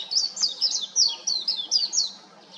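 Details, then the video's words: Warbling white-eye singing from an electric wire: a fast, sweet run of high, downslurred twittering notes, about ten in under three seconds, running together into a bright continuous warble. "メジロの美声 (4K) / White-eye's beautiful voice (4K)"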